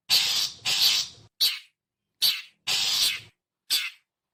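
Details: Long-tailed shrike, its characteristic call used to lure wild birds: paired long grating rasps followed by single short harsh chacks, six bursts in about four seconds.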